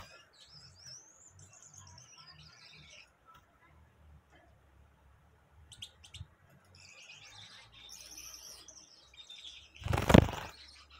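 Gouldian finch giving a soft, very high, thin song of wavering whistles and faint buzzes in two bursts, ending with a sharp knock.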